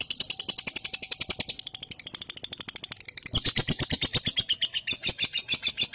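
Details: Lovebird singing ngunci, a lure recording meant to prompt a lazy lovebird to sing: an unbroken, rapid rattle of high, harsh chirps, about two per second-fraction, growing louder and fuller halfway through.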